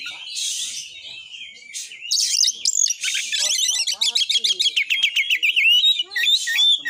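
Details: White-rumped shama song used to provoke other shamas into singing and fighting: dense, varied phrases of rapid warbled notes, buzzy trills and sharp whistled slurs, delivered in fast bursts with hardly any pause.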